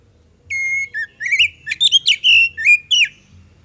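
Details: Lure song of an Oriental magpie-robin (kacer) singing loudly: a sustained clear whistle, then quick varied warbled and slurred notes in a rapid jumbled phrase, with faint low background hum.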